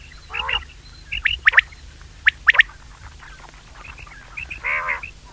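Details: Common quail call used to lure birds during hunting: quick, sharp whistled notes in pairs and triplets. A harsh nasal croak is heard near the start and another near the end, with soft chirps between them.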